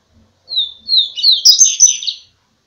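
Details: Double-collared seedeater (coleiro) with a first-quality song: two falling whistled notes lead into a quick, busy string of chirping, trilled high phrases, ending abruptly; faint low thumps beneath.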